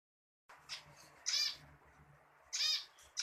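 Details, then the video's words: Zebra finch singing, with bursts of buzzy, nasal notes in short loud blasts spaced about a second apart, between quieter stretches. "Burung pipit zebra gajorrrrr"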